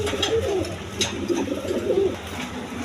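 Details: Pigeons kept on a farm with eggs and chicks, heard indoors: soft, low cooing notes overlapping from several birds. Steady background hum and faint rustling run throughout.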